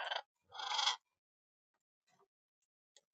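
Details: A short raspy note and a harsh, grating half-second squawk from macaws playing together in an aviary, then quiet apart from faint small sounds.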